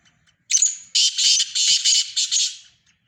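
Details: Black francolin, described as a Sindhi francolin: a short lead note, then four harsh, rasping, buzzy blocks in quick succession lasting about two seconds, high-pitched and grating, against a quiet background.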